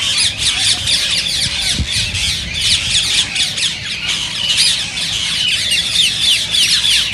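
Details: Rose-ringed parakeets screeching in a dense, continuous chorus of shrill, harsh, overlapping squawks several times a second; calls used to stimulate other parakeets to sing and breed.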